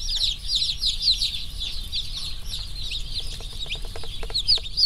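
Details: Crowd of freshly delivered slow growth rainbow broiler chicks peeping constantly, overlapping high chirps from many birds, with some faint clicking or tapping sounds near the end.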